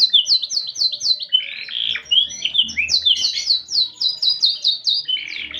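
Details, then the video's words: Canary singing gacor with a unique cengkok (song phrasing): loud strings of rapid, evenly repeated descending chirps, about six per second, with a lower warbled middle section before the chirp series resumes. "Burung Kenari Gacor Cengkok Unik"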